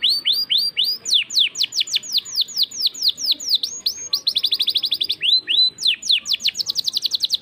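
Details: Energetic canary song in the 'cengkok mewah' style: downslurred whistles, a quick rolling trill, a pair of rising sweeps and another rapid trill, all high-pitched and loud.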